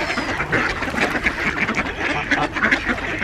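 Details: Crowd of ducks on Diss Mere at feeding time, 17 December 2022, with two geese nearby; brief burst of rapid, overlapping harsh quacking that blurs into a steady clamour.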